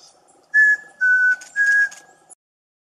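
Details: A male Chestnut-crowned Antpitta in Rio Blanco Nature Reserve, Colombia, holding food in its bill and calling to a female in courtship feeding, gives three clear, pure whistled notes: a higher first, then two slightly lower, about half a second apart.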